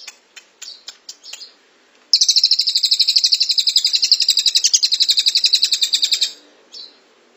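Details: Cililin (Velvet-fronted Nuthatch) in long-duration 'tembakan rapat' style for training songbirds: a few scattered high chips, then a sustained rapid trill of dense piercing notes lasting about four seconds, ending in one faint chip.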